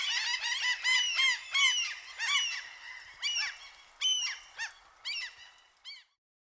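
Several gulls give harsh, nasal squawks and yelping calls, overlapping in a loose chorus that thins out toward the end; no other sounds stand out.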